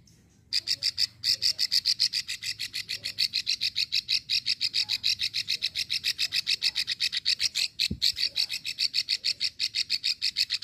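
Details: Long clicking call of a female plain prinia, recorded in Ulujami, Central Java, and used to draw a response from males. After a brief quiet start, sharp high ticks repeat rapidly and evenly, with one dull knock near the end.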